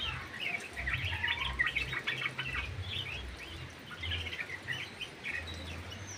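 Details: Aviary-kept yellow-vented bulbul gives a fast, jumbled chatter of bubbly notes through the first two and a half seconds, then shorter scattered phrases, over faint low rumbling.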